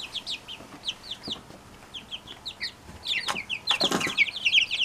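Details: Brahma chicks from one hen giving sparse high downslurred peeps, later joined by louder clustered cheeps and a couple of sharp knocks.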